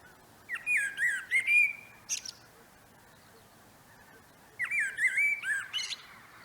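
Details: A common blackbird sings in a no-dig vegetable garden in late March at the start of spring, two mellow, fluting warbled phrases, each ending in high squeaky twittering, separated by a pause of about two seconds.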